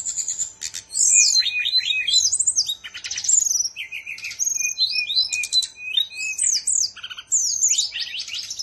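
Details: Songbird from Bali delivering a continuous, rich song: fast trilled whistles, sharp upward and downward sweeps, buzzy rattles, and repeated bright chirping phrases with hardly a pause, loud and close.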